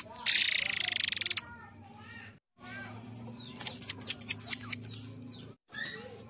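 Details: Murai Air bird singing, as a lure recording: a buzzy high rattle of quick pulses, a pause, then about seven clear, high, thin whistled notes evenly spaced, followed by faint soft chirps.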